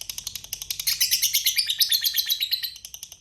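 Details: Lovebird in full voice giving a long ngekek trill: a fast, steady stream of shrill, buzzy chattering notes that swell louder toward the middle and keep an even pulse throughout.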